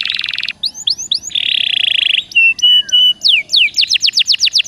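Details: Caged canary singing a varied song meant to coax other canaries into song: a buzzy trill, looping upslurs, a long rattling roll, pure steady whistles, then a series of bright downslurred notes.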